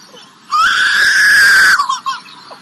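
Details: A zoo superb lyrebird mimics a crying baby: a single drawn-out wail that swells, holds steady for about a second, then breaks off into short sobbing catches.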